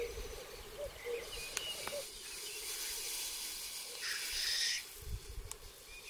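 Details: Black grouse at a spring lek arena, 2023: faint low bubbling coos at first, then sharp breathy hissing bursts, with distant high chirps over a soft rushing background.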